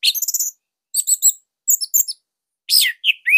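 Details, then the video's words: Orange-headed thrush from Bali singing a master song meant to coax other thrushes into song; bursts of high, rapid, tight chirping phrases with whistled notes and buzzy trills, separated by short pauses. "Kicauan Joss ANIS MERAH Pancingan Masternya Para JUARA"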